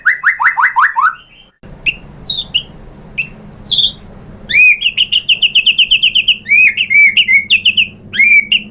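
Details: Lure song from a nonstop-singing white-rumped shama, meant to prompt other shamas to reply and showing off mimicry: fast falling slurred notes, scattered high chips, then a quick rattling trill of whistled notes.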